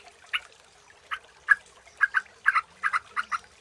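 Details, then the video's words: Sooty-headed bulbul lure sound: fairly soft, evenly spaced chirps, several given in quick doubled pairs, in a quiet background. "suara burung trucukan jernih jenis apapun 100% dijamin gacor_pagi_siang_malam dengan suara pancingan"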